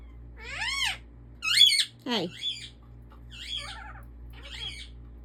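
An African ringneck parakeet talks in five or six high, squeaky, word-like bursts with bending pitch, spaced about a second apart, over a low steady hum.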